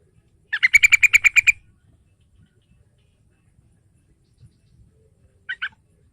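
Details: Lure song of a yellow-vented bulbul, played to get a young bird singing: one fast run of about ten bright, chattering notes, then a long pause and a short two-note snippet near the end.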